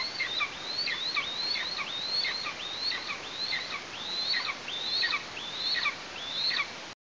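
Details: Nest of Eastern imperial eagles in Tatarstan, 16 August 2023, parents providing prey: a chick calls steadily, about ten thin, high whistles that rise then flatten, each ending in a quick drop, spaced under a second apart.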